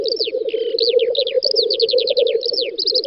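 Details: Black grouse lekking in a spring field, Volga federal district of Russia, May 2019: dense pulsing bubbling chorus, one short hissing burst near the start, then strings of quick downslurred high whistles.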